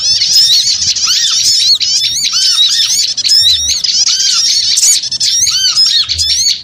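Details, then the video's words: Noisy chorus of small birds for luring, steady overlapping squeaks and buzzy chatter with curved slurred notes dipping lower at intervals, running almost without break. "Suara Pikat Burung Kecil Ribut Ampuh"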